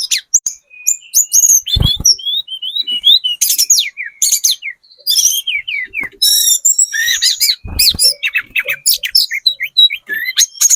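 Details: Sunda robin with spotted plumage singing as a lure so other birds reply: nonstop varied high song of whistled slurs, rapid chirp clusters and buzzy trilled bursts, interrupted twice by low thuds.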